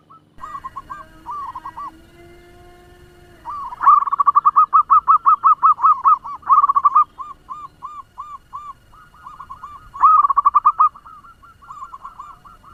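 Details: Local zebra dove used to lure and excite other doves, fast-voiced: repeated bursts of rapid, even cooing notes, some louder and some distant-sounding, interleaved with slower spaced coos, over a quiet background.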